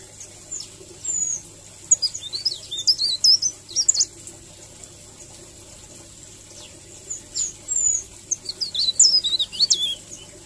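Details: Leaf warbler singing in a rolling, melodious style used as a tutor recording: two bursts of high, sharp, zigzagging twitters a few seconds long, separated by a quiet gap.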